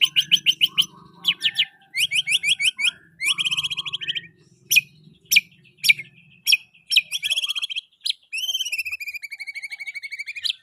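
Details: White-rumped shama, murai batu, in full pastol-style song: fast series of sharp repeated chips and trills, varied bursts separated by short gaps, ending in a long slurred whistle falling in pitch with faint low hum beneath.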